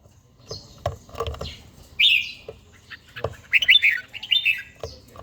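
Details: Morning song of an older caged red-whiskered bulbul in daily training, with a wild forest-style voice. A loud whistled note opens, then a fast run of warbled, bubbling phrases follows, amid scattered clicks and knocks.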